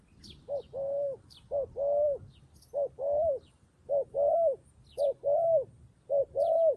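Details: Decoy dove calling to lure wild doves down, giving repeated low cooing phrases: a short double note followed by a longer rolling coo, roughly once a second, with faint high chirps from other birds overhead.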